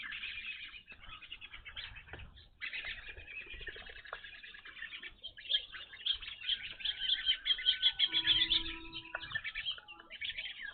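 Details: A flock of evening grosbeaks visiting a bird feeder calls almost nonstop. Bright chirps and clipped notes pile up in a lively chorus that grows louder and more excited near the end, with a soft low hum below.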